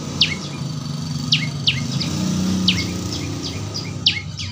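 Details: Young prenjak lumut prinia, training audio for a singing bird: scattered crisp downward-sweeping chirps in small groups, over a steady low drone like distant traffic.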